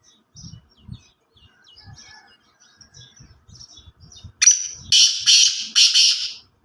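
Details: Black francolin calling: after soft low clucks and faint ticks, three loud, harsh, grating notes burst out in quick succession, the last drawn out.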